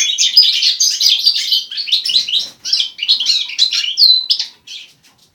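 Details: A hybrid goldfinch (Carduelis carduelis) × common linnet (Carduelis cannabina) sings a fast, jumbled twittering of bright, high notes, running almost unbroken for about four seconds with a brief pause midway.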